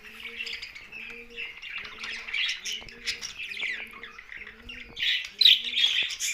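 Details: Pet budgerigars produce a continuous buzzy warble of overlapping chirps. A soft two-part tone repeats roughly every 0.7 seconds beneath the birds, and the chatter swells into louder squeaks near the end.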